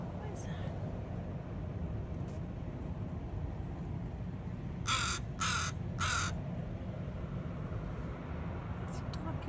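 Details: Crow near a ferry waiting area for Vesuvius, approaching a small dog and its owner. It gives three harsh, rasping caws in quick succession, about half a second apart, over a steady low rumble of engines and background noise.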